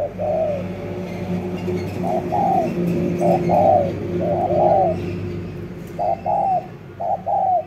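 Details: Spotted dove giving low, soft paired coos with falling endings, spaced about a second apart, over a steady low mechanical hum.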